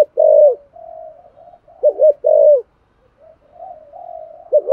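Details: Spotted dove calling in 'giọng thổ' style to stimulate other doves; a strong arched coo, a soft trailing murmur, then a doubled note and another loud coo, ending in low drawn-out cooing.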